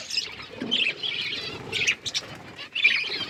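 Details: Budgerigars chirping as they eat food: overlapping high twittering and scratchy warbles in uneven bursts roughly every second, a busy chorus of several birds.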